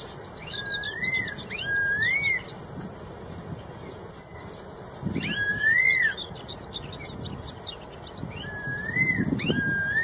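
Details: Red-tailed cucak rowo, a straw-headed bulbul, in full wild song: bubbling, fluty whistled phrases that slur upward and then drop, three bursts in quick succession, with thin high twitters from other birds behind.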